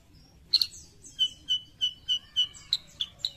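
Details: Sooty-headed bulbul, known locally as kutilang sutra, from Indonesia, singing a string of clear, bright chirps at an uneven pace of under two per second, opening with a sharp double note, over a quiet background.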